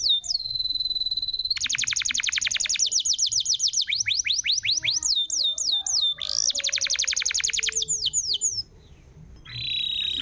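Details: Canary lure song for a canary that has stopped singing: a brief whistle, then a long rapid rattling roll of sweeping notes, hooked slurs, another fast roll, and a buzzy phrase near the end.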